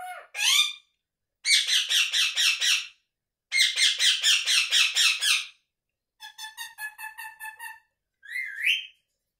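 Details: Pet Indian ringneck parakeet indoors, vocalising non-stop: harsh rapid squawk series in bursts of about seven pulses, a softer stuttering chatter, and a final rising whistled note, separated by silences.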